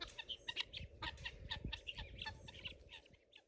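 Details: Pearl guineafowl approached closely in a garden: quieter scattered harsh chattering notes, about two a second, with a person greeting the birds and low handling noises.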